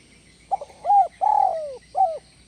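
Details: Spotted dove, known locally as tekukur, in a 'kuk 1 melambung' style call: short stuttered notes then a long falling coo and a final hooked coo, all low and mellow, with a faint steady hiss behind.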